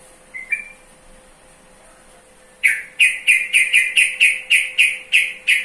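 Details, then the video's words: Sooty-headed bulbul giving one short whistled note, a pause, then a rapid string of about eleven loud, sharp, evenly spaced chirps, roughly four per second. "Mengenal Karakter Suara Burung Trucukan"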